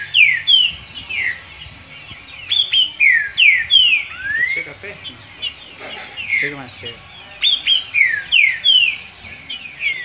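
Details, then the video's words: Song dispute of the green-winged saltator: strong falling whistles strung in rhythmic groups, an upward glide near the middle, and faint background clicks and murmurs. "Disputa trinca ferro."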